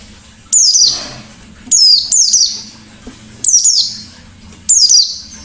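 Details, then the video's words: Shooting ngalas-style song of a white-eye, used as a lure: five shrill, high descending chirp bursts, some doubled, repeated about once a second over a low background hum. "Burung Pleci Gacor Ngalas Nembak || Pancingan Pleci Ngalas"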